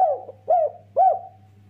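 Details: Spotted dove coo series from a lure recording meant to get caged doves calling. Three rounded, slightly falling coo notes sound about half a second apart, with a constant low hum beneath.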